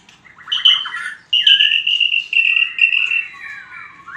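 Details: White-rumped shama fighting song: a short trill, then pure sustained whistles held steady, linked by downward slurs, ending in a falling and rising glide.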